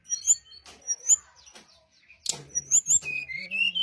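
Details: Brown-chested jungle flycatcher lure song meant to draw responses. Spaced bright, high chirps and short whistles, a scratchy burst, then sustained warbled phrases with a low background tone.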